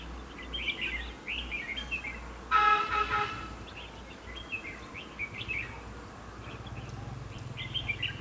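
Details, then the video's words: Red-whiskered bulbul decoy singing to lure rivals into a fighting trap: quick chirpy warbling phrases repeated through the clip, interrupted midway by a loud, brief horn-like tone. "Bẫy chào mào"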